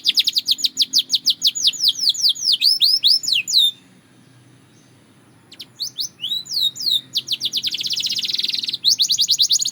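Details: Belgian canary singing for daily training, with fast series of high whistled downslurred notes, rapid trills and a dense buzzy roll, broken by a brief silent pause midway.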